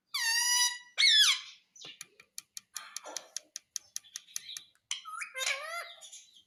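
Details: Talking Indian ringneck parrot, said to repeat "mummy": two loud nasal harmonic syllables, then a rapid series of dry clicks about one every third of a second, ending with rising, wavering squeaky word-like calls.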